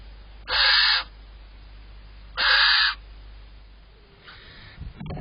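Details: Barn owl pair around first light on 5 April 2023, male delivering prey to the female. Two short, harsh hissing bursts about two seconds apart, then a fainter third hiss and a soft knock over quiet background.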